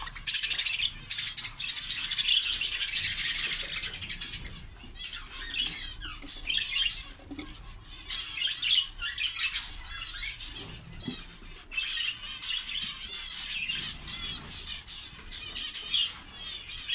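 Young budgerigars chatter constantly with high, scratchy chirps and warbles.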